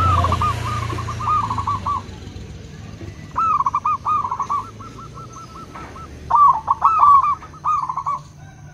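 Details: Local and crossbred zebra doves answering each other: soft cooing phrases, a few drawn notes followed by a fast rolling series of short coos, repeated in three bouts with quiet gaps.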